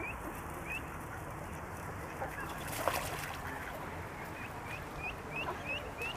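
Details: Mallard duckling swimming on a pond, crying and calling for its mother: short rising peeps repeated every half second or so, rather faint, over steady background noise and a loud clatter near three seconds.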